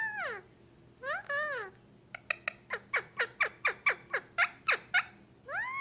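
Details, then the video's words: Male pet Indian ringneck parakeet, roughly a year and a half old, reacting to being petted indoors: wavering arched squawks followed by a steady string of about a dozen sharp downward chirps. "Indian ringneck making noises"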